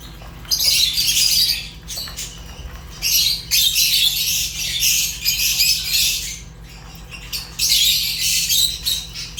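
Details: Fischer's lovebirds calling in long, harsh, high-pitched chattering bursts lasting a second or two each, separated by quieter pauses, over a steady low hum.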